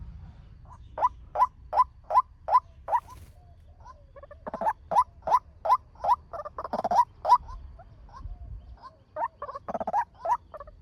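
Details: Male white-breasted waterhen lure call, played fast for bird training or trapping: a steady run of rising nasal notes about two and a half a second, then coarse chattering clusters, then more notes.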